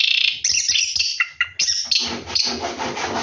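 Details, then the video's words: Orange-headed thrush singing while bathing at night, its rolling song of harsh scratchy phrases and high whistled notes running almost without pause, with rasping, noisy notes filling the second half. "KICAU ANIS KEMBANG NGEROLL MANDI MALAM"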